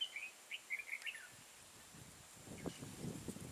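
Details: Red-whiskered bulbul singing a fighting song beside an old caged decoy during a trapping session on 12 April 2018: a burst of clear, warbled whistles in the first second, then rustling and handling noise.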